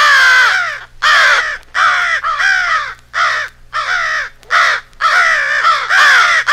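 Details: American crows in an edited rally-call jumble evoking a crow-and-owl fight, giving about ten short, hoarse caws in quick irregular succession, some doubled, with brief pauses between.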